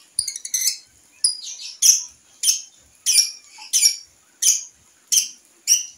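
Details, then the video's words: Young lovebird tried out on a house terrace, giving sharp, high squawking notes spaced roughly every half second, with brief quiet gaps between them. "LOVEBIRD PAUD NGEKEK DI TERAS"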